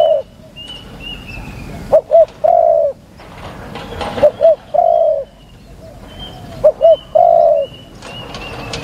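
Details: A spotted dove is recorded live as a decoy to lure wild doves. It gives three cooing phrases, each a quick double note followed by a long, low falling coo, about two seconds apart. Faint higher whistles from other birds sound in the background.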